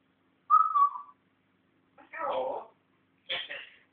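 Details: African grey parrot kept as a pet and learning to talk opens with a steady level whistle, followed by two rougher, voice-like bursts in a quiet room.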